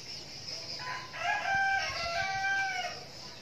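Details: Young red junglefowl kept as a decoy bird crowing: a drawn-out harmonic call, starting low and rising into a level, strained middle that fades away, over a steady high insect buzz.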